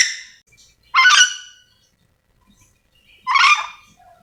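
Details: Calling yellow-and-green lorikeet from Sulawesi: coarse, honking screeches, two main calls roughly two seconds apart in otherwise quiet surroundings.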